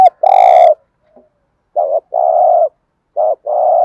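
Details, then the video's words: Spotted dove in thổ pha gù thúc style, cooing to provoke wild doves (kích bổi): deep sustained hollow coos, each led by a short wavering note, repeated about every one and a half seconds. "thúc gù/ cu gáy thổ pha gù thúc/ tiếng chim cu gáy kích bổi mới"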